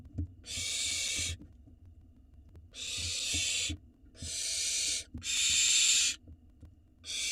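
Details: Barn owl nestlings in a nest box in Israel, live camera, begging when the father brings food: five rasping hissed screeches of about one second, irregularly spaced, with faint knocks and rustling in between.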